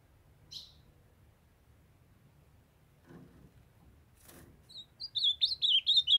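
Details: Ultramarine grosbeak in Brazil, female calling to stir a young male into song: one short whistle, then two dull knocks, then a rapid run of bright, slurred whistled notes near the end.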